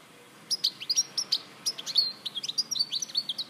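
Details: European goldfinch in Larache, 2014, delivering quick, sharp high chirps followed by a denser tinkling twitter with short slurred whistles and trills.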